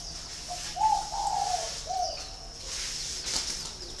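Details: Spotted dove held at a farm in Ba Vì, Hanoi, Vietnam, calling one phrase of three to four mellow coos, the middle ones longest, followed by quiet with only a high background hiss and a faint rustle.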